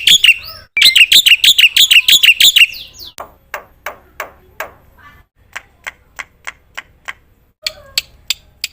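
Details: Black-winged myna giving a quick burst of loud, rapidly repeated high notes, then softer, widely spaced sharp clicks that continue to the end.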